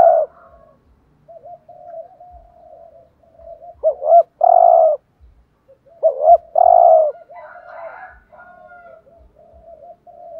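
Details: Spotted dove giving urging coos to rouse other doves: soft murmuring coos throughout, broken by two loud phrases of paired short notes and a long throaty coo.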